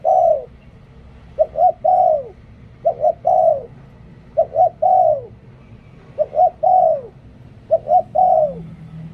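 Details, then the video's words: Spotted dove decoy bird calling persistently, about six mellow phrases, each with two short introductory notes before a drawn-out descending coo, evenly repeated at intervals of about one and a half seconds. "หลิ่วตัน เสียงนกต่อ นกเขาใหญ่"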